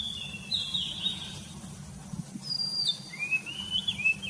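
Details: Birds singing in the morning: clear whistled phrases, some sliding down and others rising, given in short bursts with brief gaps, over a steady low hum.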